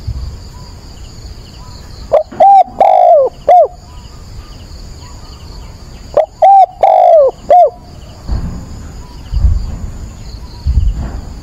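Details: Decoy spotted dove calling at dawn, 22 October, to stimulate and train another dove; two loud cooing phrases roughly four seconds apart, each short coos around a long downward-curving note, with low rumbling noise between.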